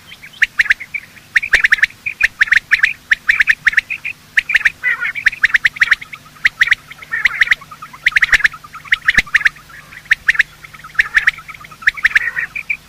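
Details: Male and female quail calling in the morning, sound used to attract quail for hunting; bright clipped notes repeated steadily in rapid bursts of three or four, continuing without break over a low hum.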